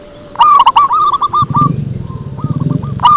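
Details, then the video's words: Zebra dove lure call with a loud rolling phrase of clicked, stuttering coos, then softer trailing coos over a low rumbling noise, and a new phrase starting at the end. "Suara Merdu PIKAT PERKUTUT"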